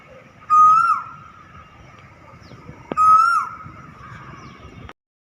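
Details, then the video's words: Cuckoo calling: two loud whistled notes, each sliding up then dropping away, about two and a half seconds apart, over a faint hiss. "Sound of nature The Cuckoo"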